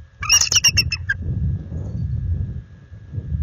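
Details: Bald eagle giving a warning against an intruder eagle near the nest after dark in February: a quick run of sharp, high, chattering chirps slowing at the end, then only low rumbling noise.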